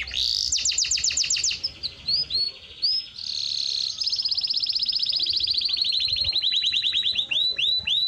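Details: Canary song played for training birds and stimulating females to mate: a fast run of repeated high notes, then chirps, then a long, even, rapid trill that ends in clipped, rising whistled notes.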